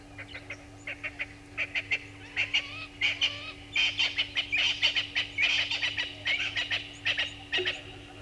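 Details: Helmeted guineafowl at a waterhole on Gowrie dam, Djuma Game Reserve, Sabi Sand, South Africa, at 06:30 on 18 July 2020, give harsh, grating cackles, repeated rapidly and overlapping as several birds call together.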